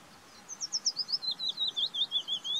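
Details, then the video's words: Willow warbler song: a sweet descending cascade of about fifteen soft whistled notes, starting high and sliding gradually lower, delivered evenly at a steady pace against a faint background hiss. "Willow Warbler Song. Løvsanger lyd. Pajulintu ääni. Fitis Gesang"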